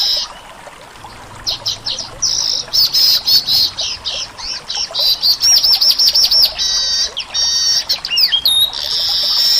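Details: Weaver in Indonesia with a lively song of quick chirps, rattling buzzes and a fast series of looping whistled notes, ending in a sustained high buzz.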